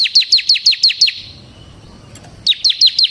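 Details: Bar-winged prinia singing in semi gacor ngebren style, played as a lure for training cage birds: a quick run of seven bright, descending chirps, a second-long pause, then five more at the same fast pace.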